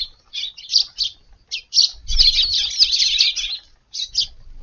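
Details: Eurasian tree sparrows visiting a garden for breakfast on a hot morning of 19 August, after waiting on a neighbouring roof since dawn, give short, high chirps, first spaced out, then a busy run of overlapping chatter for about two seconds, over a low rumble.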